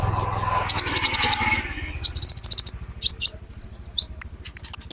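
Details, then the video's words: Olive-backed sunbird, known as metallic konin, singing as a lure for green konin: rapid high trills and buzzy chattering runs, then sharp thin whistles, over a steady low hum. "Burung Konin Metalik Pancingan Konin Ijoan"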